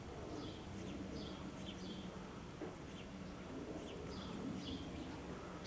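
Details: Several shrill, drawn-down screams of common swifts (Apus apus), Soest, 5 July 2009, coming in scattered bursts through the clip above a constant low background hum.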